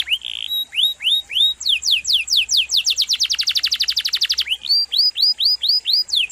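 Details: Canary song with long, sharp variations: curved upslurred whistles accelerate into a very rapid trill, then slow back to spaced upslurs.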